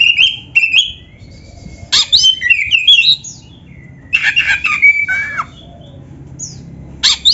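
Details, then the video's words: Singing kacer, the black-breasted magpie-robin, in a master song meant to stimulate other birds. It gives steady whistled notes, then dense buzzy, chattering phrases in bursts roughly every two seconds, with quiet gaps between. "MASTERAN KACER GACOR FULL ISIAN MEWAH KENARI⁉️ || BURUNG KACER DADA HITAM COCOK buat PANCINGAN‼️"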